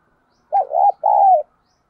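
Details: A decoy spotted dove cooing to urge and call other doves: a brief hooked coo running into a wavering note, then one long steady hoarse coo that falls slightly at the end.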